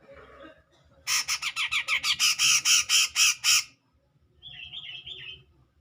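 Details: Rival-provoking song of a grey-cheeked bulbul: a burst of about twelve loud, grating notes in rapid rhythm, then quiet, then a softer warbled phrase from another bird, with murmuring low background noise.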